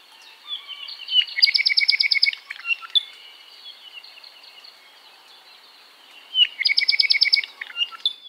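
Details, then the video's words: Song of an ʻApapane, a native Hawaiian honeycreeper: two bursts of rapid, bright, high-pitched buzzy trills and chips with soft twittering between them. "‘Apapane Song"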